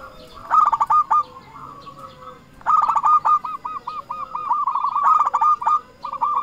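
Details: Vocal local zebra dove used to lure and call rival doves: a trilled cooing burst, then a long run of evenly repeated clipped coos, ending in further stuttering phrases.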